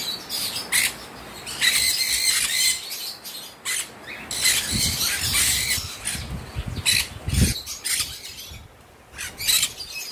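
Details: Free-flying pet cockatiel, excited by sudden rain, gives bursts of harsh, scratchy squawks among steady rain noise, with fluttering wing sounds.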